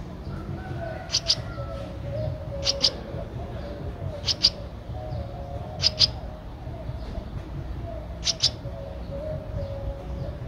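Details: A 13-day-old Streak-eared bulbul nestling at Ubon Ratchathani, Thailand, on 15 April 2023 gives thin, high paired chips, two quick notes at a time, repeated roughly every one and a half seconds over a steady low hum.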